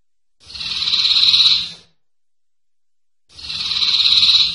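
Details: Common iora (cipoh) singing sertu-style on a master recording used to train songbirds. Two separate buzzy, grating notes of about one and a half seconds each rise gently in loudness, with a gap of roughly two seconds between them.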